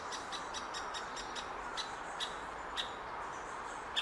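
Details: Great spotted woodpecker chick in its nest hole, June 2019, Hokkaido University Botanic Garden, waiting for its parents to bring food: a rapid run of short, sharp clicking notes for nearly two seconds, then a few spaced clicks over steady background hiss.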